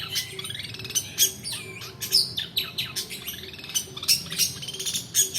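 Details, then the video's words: Long-tailed shrike in rolling song, used to lure reluctant singers and as tutor material: a fast, jumbled stream of chirps, slurred sweeps and harsh bursts, loud accents every half second or so. "PANCINGAN PENTET MALAS BUNYI ROLL DURASI COCOK UNTUK MASTERAN"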